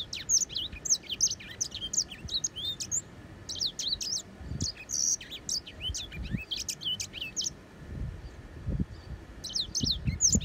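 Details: Grey singing finch delivering rapid bursts of high chirps and quick sliding whistles, pausing briefly between phrases, with occasional low knocks and handling noises in the background.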